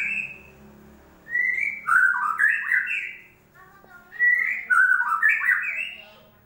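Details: White-rumped shama song played as a lure to start a non-singing bird: two loud bursts of clear, fluty whistled notes that rise and tumble quickly, separated by a brief quiet gap, with a faint low hum underneath.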